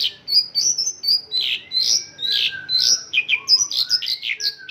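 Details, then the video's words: Song of a Mongolian lark trained with local birdsong (isian lokalan): loud, high warbling phrases with harsh, rasping notes and a thin, drawn-out lower whistle gliding beneath them. "Mongolian lark isian lokalan"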